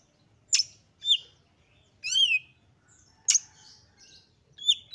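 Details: Oriental magpie-robin, described as a female in breeding condition and highly excited, singing to provoke other magpie-robins: sharp high whistled notes and short buzzy downslurred phrases, spaced about every half second to a second, with a faint low hum behind.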